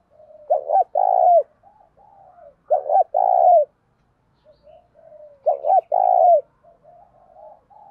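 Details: Spotted dove used as a lure bird to provoke other doves into cooing, repeating a cooing phrase about every two and a half seconds: soft lead-in notes, then a strong, rolling double coo, followed by quieter murmurs.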